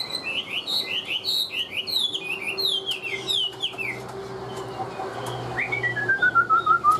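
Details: Tame Chinese hwamei in captivity delivers a rapid series of looping whistled notes, repeated about one and a half times per second, then after a pause a long descending run of clear whistles.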